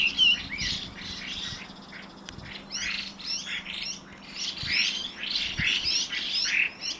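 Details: Evening calling from two Chinese hwamei: harsh, rasping squawks mixed with brief high whistles, delivered in rapid uneven bursts over a faint low hum.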